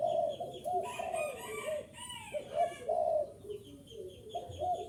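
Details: Spotted dove calling to lure wild doves, soft hollow coos repeated in quick phrases, overlapped by louder harsh, stacked calls from another bird and a constant high chirping in the background.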